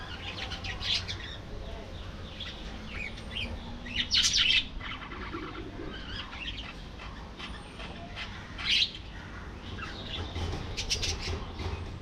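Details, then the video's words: Colony of budgerigars singing and chattering: scattered high warbled notes with a few louder sharp chirps standing out, continuous low rumble beneath. "Budgie Life: Singing, Gossiping"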